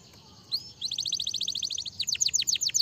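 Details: Soft canary song: a single rising whistle, then an even, rapid, high-pitched trill that gives way to slower, louder downward slurs, heard against light background noise.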